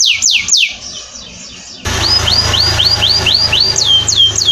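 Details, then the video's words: Canary song for training: a few loud sweeping whistles, a softer trill, then repeated rising-falling whistled notes over a steady low hum. "Masteran Burung kenari"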